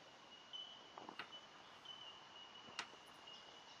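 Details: Bell Miners (bellbirds) in the Conondale Ranges, Sunshine Coast Hinterland, give a steady chorus of high, pure tinkling notes like tiny crystal bells, with a few brighter pings standing out, amid faint nearby rustles and clicks.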